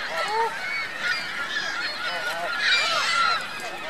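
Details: Geese and goslings at Virginia Lake in Reno, 2 May 2013, calling steadily: short, bent honks repeat every half second or so over a noisy wash of higher chatter.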